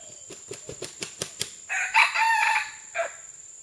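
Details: Red junglefowl, recorded June 12, 2011, beating its wings about seven times in quick claps before a loud, coarse crow with a sustained middle and a short detached ending note, over a faint continuous high whine.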